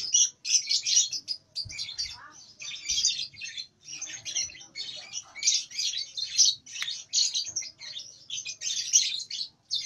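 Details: Learning its ngekek song, a two-month-old lovebird in nyeklek style chatters almost continuously in scratchy, high, squeaky bursts with only brief breaks.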